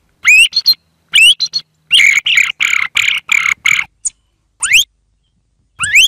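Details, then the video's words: Thrush song, cleanly cut: sharp rising whistled sweeps, then a dense series of short buzzy chattering notes, then more isolated upward-slurred whistles separated by silence. "صوت السمن"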